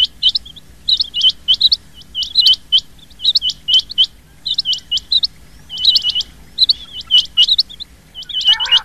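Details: Rain quail call used as a hunting lure: bursts of sharp, high paired and tripled chirps, repeated in quick clusters about once a second over faint background hum, with a brief lower buzzy note near the end.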